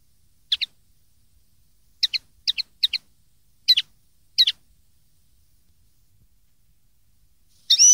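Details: Common linnet from a 2013 tutor recording made for young linnets to copy: six short, high double chirps spaced irregularly over several seconds, with a brighter burst of song starting at the very end. No other sounds.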